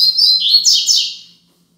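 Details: Tutor song of a double-collared seedeater in Tui Tui Zel Zel style for young birds to learn: one high, shrill phrase of quick slurred notes, ending in two downward-sweeping buzzes before fading out.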